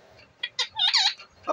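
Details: A pet talking parrot chatters a few shrill, voice-like syllables in quick bursts over about a second and a half while being asked in Hindi "where is papa".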